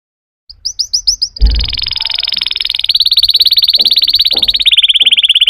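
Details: Singing canary opening with five upswept chirps, then breaking into a long, dense, buzzing roll that grows louder and steadier; faint low knocks in the background.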